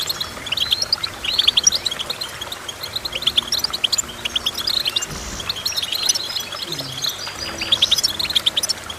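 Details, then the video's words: Goldfinch song of fast, tinkling twitters and high chirps, almost unbroken; several birds may be calling at once. "Goldfinch Chirping"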